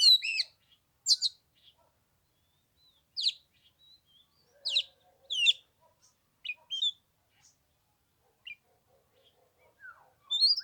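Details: Caged Oriental magpie-robin on the third day of Tet in 15-degree cold, singing for an hour without descending to fight; sparse, separated whistles and sharp chips with long pauses between, a few faint low notes underneath.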